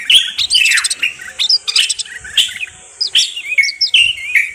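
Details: Moroccan bulbul song: short bursts of warbled, whistled notes, some sharply falling, with brief gaps between phrases, over a thin high background hiss.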